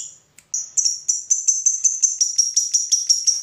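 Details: Lovebird ngekek, a long chattering trill used to stir other lovebirds to sing: after a brief chip, a run of rapid high sharp notes repeating almost three times a second, steady and accelerating slightly.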